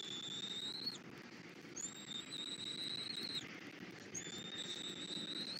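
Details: Bald eagle pair at a Florida nest cam, early morning in February, male bringing rabbit as breakfast, female feeding the young; sustained piercing whistles in three long phrases, the middle one ending in a sharp drop, with steady background noise.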